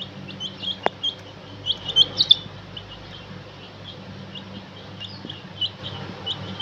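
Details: Baby chickens, described as rainbow chicks, peeping: many short high chirps, some rising, scattered quickly through the clip over a steady low hum, with one sharp knock near the start.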